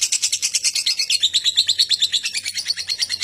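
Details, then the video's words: Lovebird lure recording for getting other lovebirds to sing ngekek sooner; a continuous, rapid, rhythmic high chatter of harsh pulsed notes, about three per second in clusters, running unbroken throughout. "Pancingan Love Bird Agar Cepat Ngekek"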